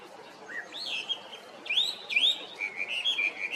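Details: Chinese hwamei singing in short bursts: a soft low note, then bright whistled slurs rising sharply and sliding down, followed by a quick wavering trill of high notes, against light background hiss.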